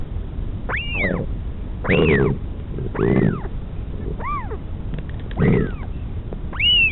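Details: Northern royal albatross mother feeding her chick at the Pukekura/Taiaroa Head colony near Dunedin, New Zealand; high rising-falling whistled calls in quick succession, some with a deeper throaty layer beneath, amid wind noise.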